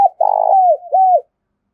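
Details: Tame decoy spotted dove from Đồng Nai, Vietnam, giving a loud urgent 'gáy thúc' coo used to lure wild doves: a short note, then a long buzzy-rough coo that slides down, then a clear hooked note, over silence.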